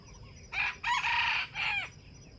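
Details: Crow of a wild jungle chicken, with trapping and bait used to draw rival birds: one clipped note, then a long buzzy sustained stretch and a drooping final part, with faint chirping behind.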